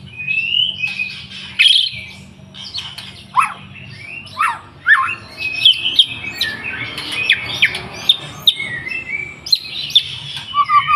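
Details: Lively white-rumped shama song used as a lure to get birds singing: a varied stream of sharp whistles, downward slurs and chattering phrases over about eleven seconds, with short pauses between bursts and a faint low hum.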